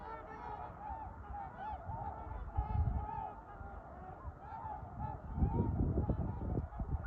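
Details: Trumpeter swans in winter giving repeated low, nasal honks in a loose series, several birds calling over one another, with a steady low rumble of background noise.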